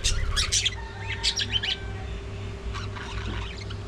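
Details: Budgerigars at early morning feeding time, giving bursts of sharp chirps and warbling chatter, busiest in the first second and a half, then softer scattered chirps over a steady low hum.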